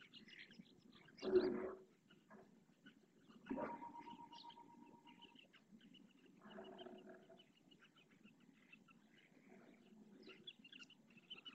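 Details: Purple swamphen parents calling their three young chicks to come and be fed, at Riet Vell ornithological reserve lagoon, Ebro Delta, Spain. One loud harsh burst, then a nasal, harmonic call, then softer grating calls, over faint distant chirping.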